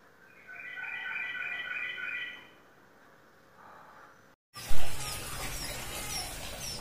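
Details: Contest-winning captive sooty-headed bulbul, ceko type, in Indonesia, giving a two-second run of clear, rapidly repeated whistled notes, then a brief softer phrase, before an abrupt switch to loud rushing noise.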